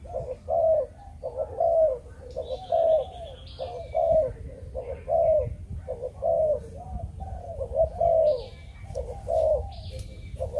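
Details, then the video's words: Steady 'chụp chụp ô' cooing from a Malaysian breeding-strain spotted dove: about nine low phrases, each a short double coo and a longer wavering note, roughly one per second, with high chirps from other birds. "Chim Cu Gáy | Chụp Chụp Ô | Cu Malaysia Sinh Sản"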